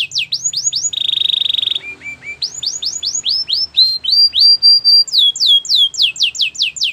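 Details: Belgian canary song for training, alternating quick swept whistles, a rattling buzzy trill, low repeated notes, and long series of descending slurred calls.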